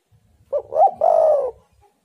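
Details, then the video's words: A spotted dove gives one mellow three-note phrase, a clipped opener, a rising hoot, then a long even coo falling slightly at its close, over a faint low rumble; intended to lure wild doves. "tekukur super gacor burung Liar pasti emosi"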